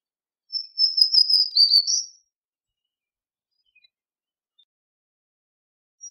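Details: Black-throated green warbler singing one thin, high, buzzy phrase of a few seconds: level wheezy notes, a short dip, then a slightly higher closing note. Otherwise quiet.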